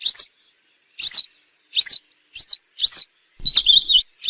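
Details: Western yellow wagtail calls used as a hunting lure: sharp, high, downslurred chirps, each about a quarter second, given roughly once per second, ending with a longer warbled phrase; otherwise clean with no other sounds.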